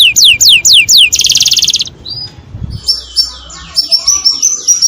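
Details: Canary mating song meant to stimulate breeding: rapid series of high whistled notes sweeping downward, then a dense buzzy trill, followed by a short whistle and a run of quick repeated chirps.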